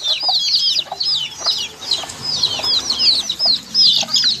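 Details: Baby chicks peeping in a group: many high, shrill, arching peeps overlapping continuously, several per second, with faint lower clicks and scuffling beneath.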